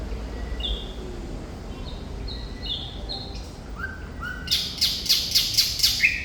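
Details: Singing actively, a Thrush nightingale (Sikatan Londo) gives soft, spaced high whistles, then two lower rising slurs. A rhythmic series of about six loud, hard clicking notes follows, ending in a brief whistle.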